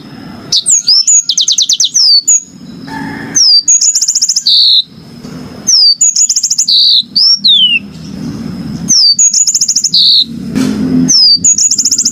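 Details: Yellow-fronted canary singing loudly in repeated high phrases: rapid ticking trills, sharp downslurred whistles and buzzy notes, separated by short gaps, over a steady thin high whine and low background rumble.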